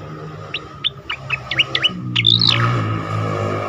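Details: Asian pied starling performing for competition-bird training: a quick string of short, sharp chirps leading into a bright, arching whistled phrase, with a steady low hum underneath.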